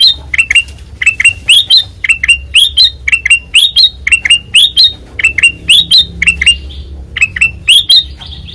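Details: White-eyed kutilang emas in full loud ngeplong song: pairs and triplets of crisp chirps, some sliding higher, repeated rapidly with a soft low hum behind.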